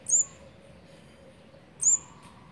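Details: Olive-backed sunbird at the nest with its fourth brood, nestlings fed on day 18, 8 March 2020: two thin, very high, sharp chip notes about 1.7 seconds apart over faint background hiss.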